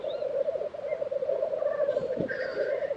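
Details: Black grouse bubbling continuously at a lek in Tiveden, Sweden, April, a low rolling coo chorus, with a brief hoarse hissing note and faint higher calls near the end.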